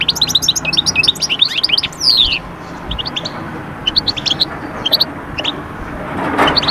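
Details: European goldfinch singing, a recording aimed at pulling birds out of moult into summer mating mood: quick tinkling notes and twitters, one buzzy descending sweep, then sparser chirps with faint background hiss.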